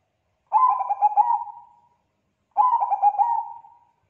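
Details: Zebra dove of the Bangkok type singing strongly, its voice prompting other doves to reply: two matching phrases about two seconds apart, each a rapid burst of soft, throaty coo notes fading into a drawn-out hum.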